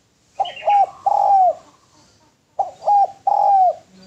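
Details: Spotted dove calling steadily, kept as a training track. Two matching cooing phrases are separated by a pause: a quick pair of short hoots, then a long smooth coo sliding down at the end.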